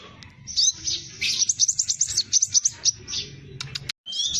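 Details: Scarlet minivet singing briskly in the dense 'roll tembak' style, recorded as a lure for training birds: a rapid chatter of high, sharp notes, then a few clicks and a brief whistle, over low hum.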